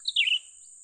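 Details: A single quick call from a young cucak ranting bulbul being lured for trapping: a high note slurring down into a buzzy, descending flourish, against a steady high hiss.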